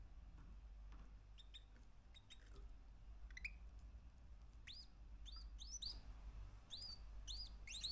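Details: Three-month-old male canary singing: scattered short chirps, then a run of arched whistled notes sweeping up and down, repeated about twice a second, over low steady background hum.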